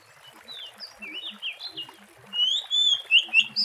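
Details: Wild Oriental magpie-robin singing, used as a lure for trapping birds: soft, scattered whistles at first, then from mid-clip louder, sweet whistled phrases that slide up and down in quick succession. Faint low chirps sound underneath.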